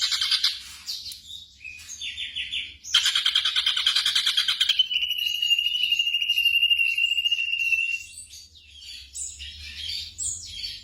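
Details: Black drongo song used as night-time training audio for caged songbirds: high chattering notes, then a harsh, rapid buzzy trill, a long thin steady whistle, and scattered sharp chips at the end.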